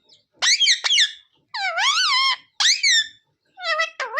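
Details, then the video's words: Parrot speaking short phrases: loud, bright syllables with sweeping pitch, delivered in four separate bursts with short silences between. "Parrot talking sita-ram🚩parrot talking jay shree ram🚩सीता-राम 🚩जय श्री राम🚩mummy papa bolane wala 🦜"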